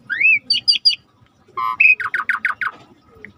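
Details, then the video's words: Song of a rare starling recorded for tutoring with a river backdrop: one upslurred whistle, three quick buzzy chips, a brief pause, then a harsh rattling run of about seven descending notes, with faint low flowing water throughout. "Jalak Langka Masteran Alam Sungai | Deep Nature River Sound for Starling"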